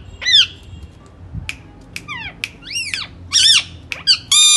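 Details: Caged ring-necked parakeet indoors giving sharp squawks and arched, downward-curving shrieks, several in quick succession, over a low room hum.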